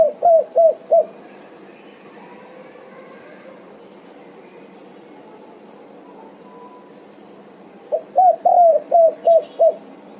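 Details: Spotted dove calling in answer to its companions: a quick run of four low, hollow coos, a long quiet gap with faint background hiss, then a faster burst of six similar coos near the end.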